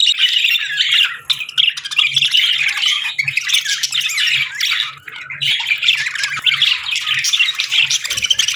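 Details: Budgerigars chirping on a peaceful morning in an almost unbroken stream of scratchy, twittering chatter from several birds, with a faint steady low hum.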